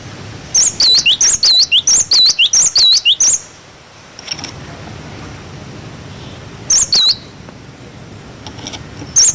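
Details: Glatik batu, the cinereous tit, in clear 'wucit wucit' song meant as a tutor for young birds: a three-second string of rapid looping whistles, a quiet gap, then short two-note bursts.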